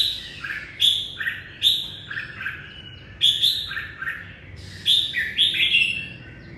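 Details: Red-whiskered bulbul song at the start of the day, lively repeated whistled phrases that each drop from high to lower notes, coming in quick groups of two to three throughout.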